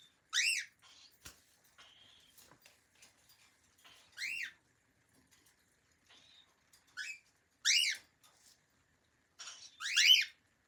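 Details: Calm pet cockatiel kept with other friendly cockatiels, repeating loud, harsh, arched chirps about every two seconds, five in all. Quieter squeaks and a single sharp click come between them in an otherwise quiet room.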